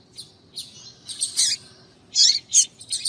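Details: Female Double-collared seedeater calling to excite males: rapid high chips about three per second, mixed with a harsher buzzy note.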